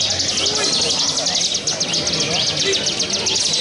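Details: Caged bar-winged prinia at a bird-singing contest, delivering 'walang sangit' style 'ngebren' song: rapid high, buzzy notes repeated about four per second in a continuous dry trill over a low background hum.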